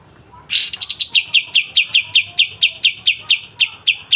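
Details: Pied triller delivering sharp 'besetan' song for songbird training: a harsh opening burst runs into a lengthy sequence of hard, high chip notes, closely spaced at first, then steadying to about three per second.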